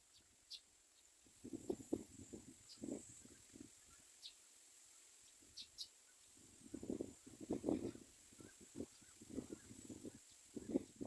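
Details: Common myna chicks in a nest, waiting for food, give bursts of low, raspy, pulsing calls in two clusters over eleven seconds, with faint high ticks above and quiet outdoor background.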